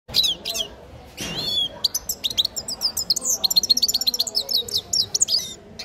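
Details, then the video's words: Grey-crowned goldfinch nestling singing: bright, high chirps and twittering notes, after a brief pause breaking into a fast, rapid run of clipped, tinkling notes that continues to the end. "Птенец щегла пение"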